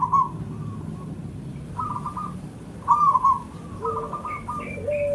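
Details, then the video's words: Local Java zebra dove (perkutut) used as a lure to get other birds singing: bubbling trilled cooing phrases at irregular intervals, overlapped by further cooing and a few higher whistles from other birds. "Suara kutut lokal Jawa khusus pancingan"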